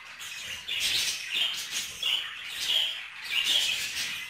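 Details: Budgerigars mating inside a cage: a continuous high chattering warble of scratchy chirps and squeaks in bursts, with brief dips about every second and clearer whistled notes near the peaks.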